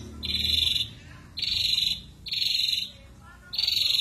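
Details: Coarse 'shot' calls from an ashy drongo: four broad, grating, buzzy bursts, each about half a second long and spaced roughly a second apart, sounding rough and hissy.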